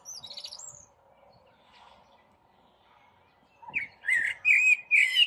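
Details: Common blackbird (Turdus merula) singing in a tree in spring: a brief high twitter, a quiet pause, then loud, rich fluty phrases in quick succession over a low steady hum.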